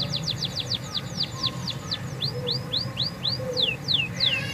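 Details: Canary song to coax silent canaries into singing: a series of steeply falling chirps that gradually slow, then rising swept notes, over steady low background noise.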